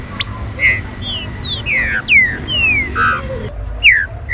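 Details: Chuva-style song of a green-winged saltator, meant to make kept birds fiery and active. A rapid series of clear whistles, some sharply upslurred but most sweeping down, with a steady low background rumble.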